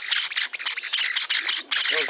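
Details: Java sparrow chicks, several colour varieties including white and silver, newly arrived, chirp in a busy chorus of high, short, overlapping calls, several per second with brief pauses, in the evening; faint human speech in the background.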